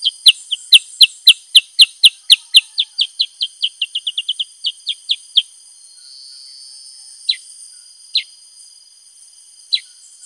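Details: A Black-headed bulbul (Pycnonotus atriceps) sings a fast run of about twenty-five sharp, high chirped notes that speed up then slow down, followed by a few scattered single notes.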